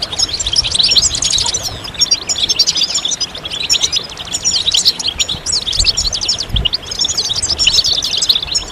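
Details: Group of European goldfinches singing together to prompt males to break their silence during moult; dense high chattering and twittering phrases fill the whole stretch, background low and quiet.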